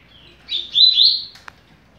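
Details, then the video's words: Teaching song of a double-collared seedeater in fast-beaked style: a short phrase of high, smooth, slurred whistled notes, followed by a single sharp click. "Canto para Ensinar Passarinho - Coleiro"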